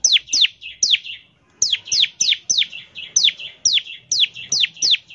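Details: High, sharply downslurred whistles from a bar-winged prinia, each trailing into buzzy chatter, repeated steadily about twice a second after a short gap; a 'ngebren' lure song for prompting prinias to sing.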